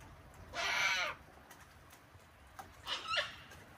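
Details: Flock of wild cockatoos hand-fed on an Australian deck on a cold, wet winter day; one loud raspy screech of about half a second, followed by softer, shorter squawks.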